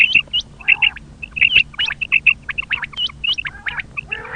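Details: Common quail calling, a recording used by hunters: clipped, high, bright notes in rapid pairs and triplets, repeated steadily throughout, with a few rougher lower calls mixed in and a faint hum underneath.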